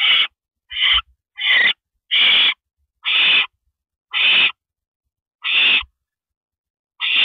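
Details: Owl at night, 3:52 AM on 7 May 2012, as a rabbit is handed to another owl on a porch by the nest. Loud, breathy, hissing screeches come about every second, each lasting roughly half a second.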